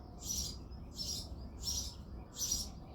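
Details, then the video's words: Male house sparrow singing in the early morning in February: four loud, harsh chirps at even intervals of about 0.7 seconds, each a broad burst of sound, over a low steady background rumble. "House sparrow sound effect | Sparrow chirping sounds"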